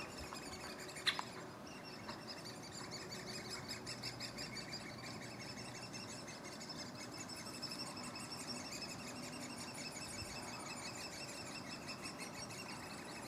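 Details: Great spotted woodpecker at a nest in Furuberget, Hamar, Norway, in summer 2017: a steady, high, ticking chatter runs throughout, with a sharp knock near the start against soft background noise.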